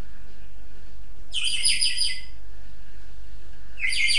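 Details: Pet African grey parrot producing a harsh, rasping high-pitched squawk lasting nearly a second, followed by the start of another, over a steady low background hum.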